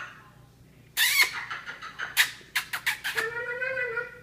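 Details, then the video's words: A female pet hyacinth macaw, nearly two years old, talks in a quiet room: a quick run of harsh, breathy syllables, then a drawn-out, speech-like phrase. She says peek-a-boo and I love you, laughs and makes silly noises, with other birds in the background. "hyacinth macaw talking"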